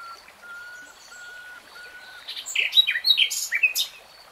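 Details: Common nightingale (Luscinia megarhynchos) phrase: four soft, drawn-out low whistles spaced evenly, then a jumbled burst of loud varied chirps and trills.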